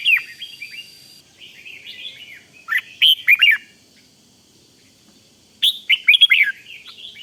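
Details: {'caption': 'Thai red-whiskered bulbul in rik-style song used to rouse other bulbuls: a soft warble, then two loud bursts of fast liquid whistles separated by a quiet gap of about two seconds, with faint background hiss.'}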